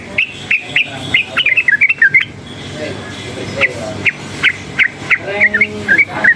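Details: Wild-caught yellow-vented bulbul singing energetically, stirred up by loud noise: rapid bursts of short, bubbly, warbled notes repeated about three per second, with some gaps, over steady background hiss.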